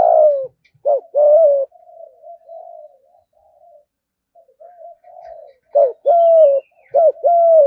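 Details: Caged spotted dove in 'thúc gù' cooing: loud low phrases of a clipped note and a longer falling coo, with soft murmured cooing notes filling the middle before the louder phrases return.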